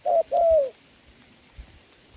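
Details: Spotted dove decoy calling during a rain-soaked trapping session, 26 November 2022. A single paired coo: a short note, then a longer note sliding down. Silence follows, apart from light tapping and hiss.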